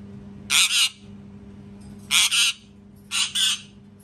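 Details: Parrot screaming sounds: three loud, harsh double screeches, each a pair of rasping bursts, spaced about one to one and a half seconds apart, over a low steady hum.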